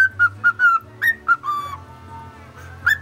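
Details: Pet male cockatiel imitating the Mickey Mouse March in clear whistles: quick evenly spaced notes, one rising chirp, then a long gliding whistle that fades, ending on a sharp upward note; low background hum.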